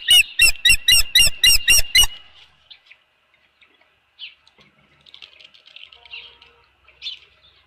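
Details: At the Dunrovin Ranch nest with a fish on 24 April 2018 in the afternoon, an osprey gives a quick run of eight loud, evenly spaced piercing chirps over two seconds, then a few soft scattered notes and quiet.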